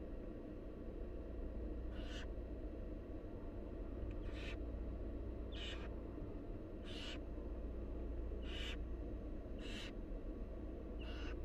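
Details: Hissing begging screeches from wild barn owl nestlings as the mother brings food, seven short rasping bursts repeated every one to two seconds over a constant low-pitched hum.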